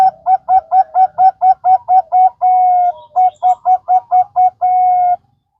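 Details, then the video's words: Zebra dove of the Bangkok type singing, a lure recording to set other doves singing: quick evenly spaced coos, about three each second, broken twice by longer drawn-out notes, then the phrase ends cleanly. "pancingan perkutut Bangkok"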